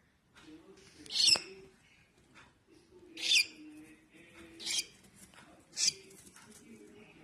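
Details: Baby cockatiel calling with four rough, scratchy screeches spaced one to two seconds apart over a faint low hum.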